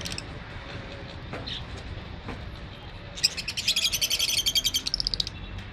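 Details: Lovebirds, African small parrots: after a quiet start, a burst of rapid, shrill, high chirps tumbles out for about two seconds, then fades, over a low background hum.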